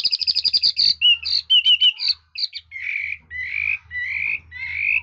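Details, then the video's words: Red-whiskered bulbul, said to sing very well and change its voice. It opens with a fast run of sharp chips, then gives warbled whistles and longer buzzy rising notes repeated about every half second. "Chú mi cực hay, đảo giọng hót tốt hót rất đẳng cấp"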